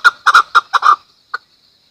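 A Chukar gives a quick run of six harsh, clucking chuck notes in under a second, then one more after a pause. No other sounds.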